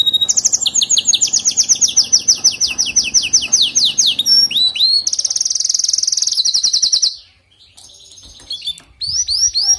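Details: Canary singing to motivate a weak canary: a long run of rapid rising buzzy notes grading into a fast high roll, then quieter scattered chirps after a sudden drop.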